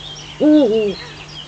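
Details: Eurasian eagle-owl, Eifel, 05:50 on 19 June 2015: a lone half-second call, strong and nasal, holding steady then sagging and flattening out, with faint distant bird sounds behind it.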